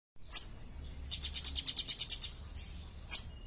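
A bar-winged prinia gives a fast burst of about eleven high, ticking notes, framed by single sharp, very high chips before and after.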